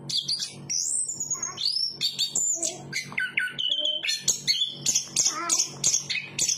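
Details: Anis kembang, the chestnut-capped thrush of Southeast Asian forests, delivers varied song with long rising and falling whistles, quick chips and short trills in rapid succession, with a faint low hum underneath.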